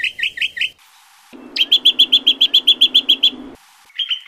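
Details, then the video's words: Greater green leafbird song as lure and master recording: quick whistled notes, then a steady run of about fourteen loud ringing notes over a constant hiss, and a short bright phrase at the end. "pancingan cucak kombo, masteran cucak kombo"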